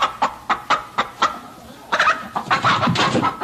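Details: Chicken clucks, spaced sharp notes at first, then denser, noisier overlapping clucking toward the end.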